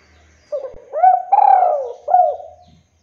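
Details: Male spotted dove giving an active, repeated call meant to provoke other doves: a short coo, a rising coo, then a long rough rolling note sinking at the end, closed by a final clipped coo. Quiet setting.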